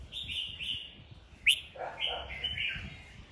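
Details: Red-whiskered bulbul in a singing duel: short bright warbled phrases, a sharp rising note near the middle, then lower slurred notes and a final run of clear whistles.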